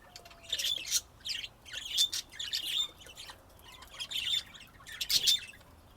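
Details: Budgerigars, Texas, USA, recorded 2025: rhythmic scratchy chirps roughly every second, mixed with short squeaky notes and a soft low whistle at the start.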